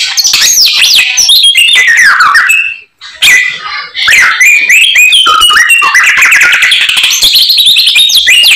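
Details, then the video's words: White-rumped shama in full song with isian phrases: dense, harsh and whistled notes tumbling quickly, a short silence near three seconds, then a rapid varied stream resumes. "BURUNG SAMYONG GACORR FULL ISIAN"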